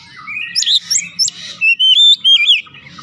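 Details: Oriental magpie-robin lure song: warbled rising notes, then clear level whistles stepping down in pitch, with faint low hum in the background.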